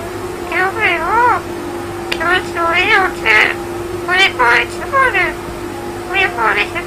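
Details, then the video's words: Talkative pet Indian ringneck parakeet speaking: a run of about a dozen short, nasal, rising-and-falling word-like syllables in quick phrases over a steady low electrical hum indoors. "Ringneck Parrot Talking Insane"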